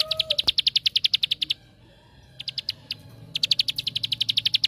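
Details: Bar-winged prinia song used as a lure to make other prinias sing: fast rattling runs of high, sharp notes about seven per second, broken by a short pause and a brief burst before resuming.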